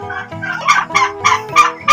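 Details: Five-month-old turkeys give rapid, rattling calls in quick bursts about every third of a second.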